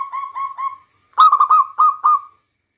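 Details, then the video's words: Local zebra dove song used as a lure in the rainy season: a soft phrase of three mellow cooing notes, a short pause, then a louder rapid run of about six rolling, slightly rising coos, with no other sounds. "Bunyi perkutut lokal terbaik untuk pancingan di musim hujan"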